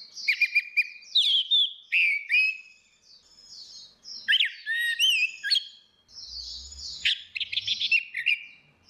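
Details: Orange-headed thrush pair, female versus male, singing ngeplong to lure a silent bird: a continuous run of varied whistles, trills and looping notes, with a short low thump near the end.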